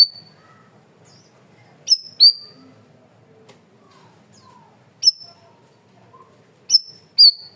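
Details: Masteran training recording of a cream-vented bulbul, loud and clear: scattered sharp high whistled notes, some paired, separated by pauses of a second or more, with faint softer chirps in between.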